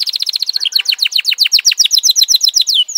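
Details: F1 canary singing a fast rolling song: rapid runs of repeated downward-sweeping notes, shifting between trill types, ending in a rising whistle.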